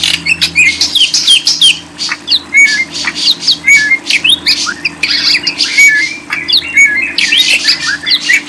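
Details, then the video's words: Lovebird song, described as a highly effective jamming track prized by songbird hobbyists: dense, continuous high chattering with fast squeaky chirps and twittering phrases, constant hum underneath. "100% jamin paling ampuh // paling di cari para kicau mania"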